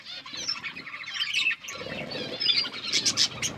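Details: Pet budgies at their food, giving a steady run of high, warbling chatter with quick scratchy notes throughout, brighter chirps toward the end, and low rustling underneath.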